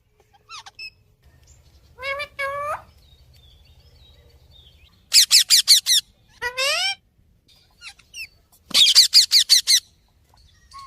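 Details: Green parrot talking in Urdu: short harmonic phrases with rising and falling tones, separated by bursts of sharp, high, rapidly repeated squawks near the middle and end.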